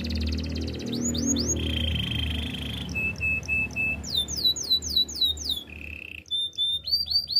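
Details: Caged canary singing steady trilled tones and series of falling whistled sweeps, with a low hum underneath during the first seconds.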